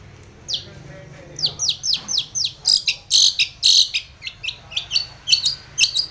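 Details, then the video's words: Long-tailed shrike in full voice, used as a lure to make rivals sing: rapid, high, piercing notes, some downslurred and some buzzy, run together in loud bursts. "SUARA cendet gacor MEMANGGIL LAWAN pancingan cendet agar bunyi EMOSI seketika"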